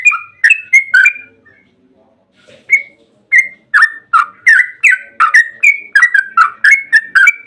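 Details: Yellow-vented bulbul long 'ropel' song used to make bulbuls answer: a few whistled phrases, a short pause, then an accelerating cascade of liquid, bubbling notes that grows denser toward the end.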